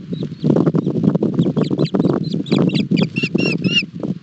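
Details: Osprey chicks at a nest in Barlinek Forest, Poland, on 7 July 2022, struggling with a breakfast fish; high whistled chirps grow denser and louder toward the end, over steady low rustling and thumping from the nest.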